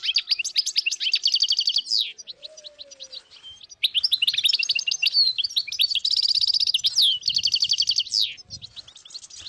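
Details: A flock of dozens of wild European goldfinches in northern Morocco, 2022: bursts of tinkling, twittering song and trills separated by a brief lull, with soft low rustles beneath.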